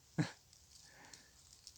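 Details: A common raven in autumn woodland in the northern hemisphere, around Samhain, gives a single short, harsh, low croak, then quiet outdoor background with faint rustling.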